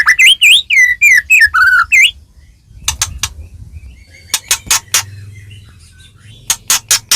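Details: White-rumped shama (murai batu) provoking song: a run of wavering whistled phrases, then scattered sharp clicks over a low background rumble.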